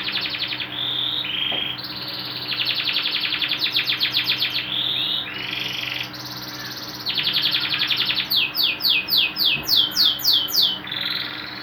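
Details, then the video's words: Canary singing continuously, used as training material for songbirds: long rolling trills at shifting pitches, then a sweeping series of rapid descending slurred notes, with a constant faint electrical hum beneath. "MASTERAN BURUNG KENARI GACOR"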